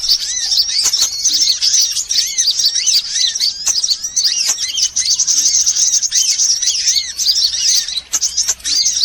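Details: Sunbirds of mixed kinds on a lure recording used to attract birds: dense, nonstop high twittering from many overlapping callers, with rapid chirps and repeated arched, downslurred notes and no pause.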